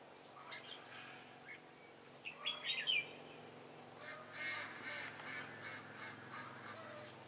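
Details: Decoy Red-whiskered bulbul singing Ché-style song to draw rival birds into a trap, recorded 18 September 2018; short whistled notes, then a quick loud rising-falling phrase, followed by softer chattering notes.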